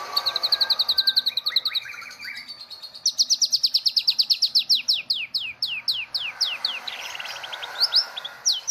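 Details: Medan white-rumped shama, a competition champion of the 2018 Presiden Cup, rattles off rapid high repeated notes, then a series of steeply falling whistled strokes, accelerating and varying in the full cililin-shot manner.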